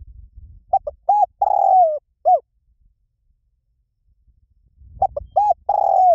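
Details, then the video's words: Lio tan style coo of a spotted dove, used as a lure so trained doves answer: quick double notes, an arched coo, a long falling note and a closing coo. The phrase starts again after a pause, with faint low thumps. "สำหรับเปิดล่อนกเขาใหญ่ฝึกต่อ ให้ขันโต้ตามเสียงนกเขาใหญ่หลิ่วตัน"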